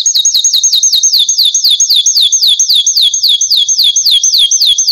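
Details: Belgian canary song made of a rapid series of identical downslurred whistled notes, repeated evenly about four times a second, bright and high.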